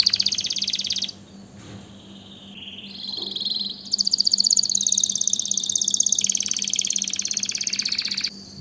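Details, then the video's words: Canary singing a run of quick high rolls, a short pause, lower bubbling trilled notes, then a long loud rapid trill that holds steady; faint low hum throughout. "اجمل غناء لطائر الكناري تغريد الكناري"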